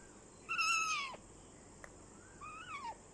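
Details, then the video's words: Ringneck talking parrot, a rose-ringed parakeet: one loud, bright, falling note rich in overtones, then after a pause a softer rising-then-falling note. "Ringneck Talking Parrot"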